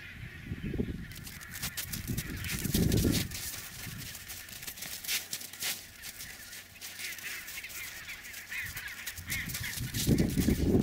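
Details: Chinstrap penguins on a packed-snow route from sea to nesting colony; harsh braying bursts open and close the recording, with a quieter middle stretch filled by crackling wind-like noise.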